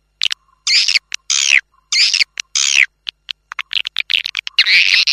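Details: Swiftlet lure sound for attracting birds into a nesting house, tested outdoors: harsh, buzzy high bursts and short clicks, irregularly spaced, with a faint low steady tone between some bursts.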